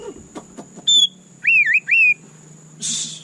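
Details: White-rumped shama giving a few soft ticks, a high pure whistle, then a wavering looping whistled phrase, ending in a short hiss of noise; a thin continuous high whine underlies it.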